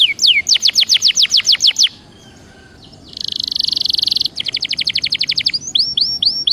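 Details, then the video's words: Belgian canary singing: fast rolled trills of repeated upslurred high notes, a brief gap, then a dense buzzy trill, followed by more rapid repeated notes and a few sweeping whistles. "CANTO DE CANARIO BELGA PARA ESQUENTA"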